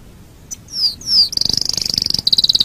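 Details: From a canary master recording used to train other birds: two smooth descending whistles followed by a rapid, evenly pulsed high trill.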